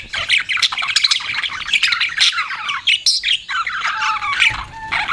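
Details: Pet budgies chattering nonstop: busy, overlapping scratchy warbles and squeaks, with a couple of short, steady whistled tones near the end.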